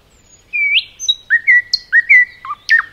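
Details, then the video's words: Nightingale in a forest giving a slow phrase of separate whistled notes, some upslurred and some downslurred, with a few sharp high flicks toward the end. "Nightingale song"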